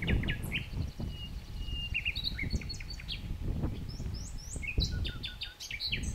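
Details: Common nightingale singing: varied high whistles and quick chirped phrases, some rapid clicking series, over a steady low rumble of background noise.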